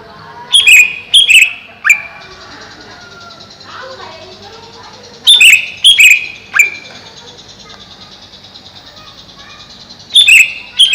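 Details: Caged greater green leafbird kept above a pond: bursts of loud, sharp whistled and chipping notes in three clusters about five seconds apart, with quiet background murmur between them.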